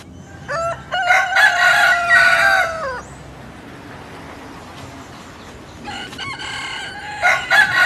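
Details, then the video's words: Southwest Asian rooster giving a full crow: rough choppy opening syllables, then a sustained tail dropping in pitch; after a quiet pause a second crow starts. "Ouça o som de um galo cantando"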